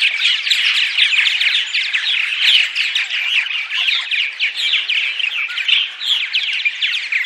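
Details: Purple martins calling in the morning, a recording meant to attract martins: a thick wall of rapid chirps, creaky gurgles and short downslurred notes from many birds at once.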